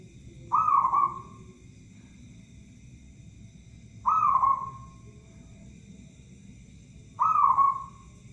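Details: Local zebra dove, a lure bird used to attract other birds, repeats three bright, slightly falling coo phrases roughly every three seconds against a quiet, steady background hum.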